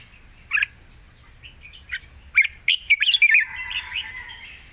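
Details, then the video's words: Red-whiskered bulbul kept in a cage in Thailand, described as singing easily in a long 'rik' song: an isolated chirp, then a dense rapid volley of bright notes trailing into a soft warble. "ปากเบา+ร้องง่าย เพลงยาวมีริก"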